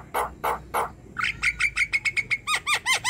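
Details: Black-winged starling singing: three harsh rasping notes, then a fast run of about ten bright, clipped chips, followed by a few looping, slurred whistles.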